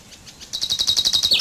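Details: Common chaffinch song fragment: a quiet start, then a rapid series of about ten sharp, evenly repeated high notes, closing with a short dip downward.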